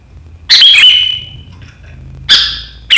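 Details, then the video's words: Kutilang, or sooty-headed bulbul, in riwikan style, sharp enough to make rivals join in, 7 April 2023: a loud high slurred note, a pause, then two more abrupt sharp notes near the end. "Suara burung KUTILANG GACOR RIWIKAN yang tajam membuat lawan ikutan ngeriwik"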